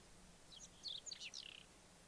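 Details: Whinchat near Obninsk in late April 2023 sings a compact, high-pitched phrase of rapid scratchy and whistled notes lasting under a second, with faint background noise.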